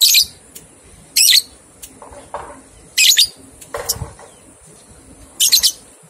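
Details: Lovebird ngekek training recording for two-month-old young birds: harsh, high chattering bursts roughly every one to two seconds, with softer lower rustling and a dull knock in between.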